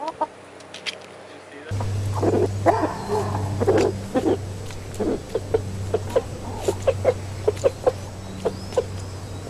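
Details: Rooster calling hens to food with unusual behaviour: quick soft clucks repeated about twice a second, over a steady low mechanical hum.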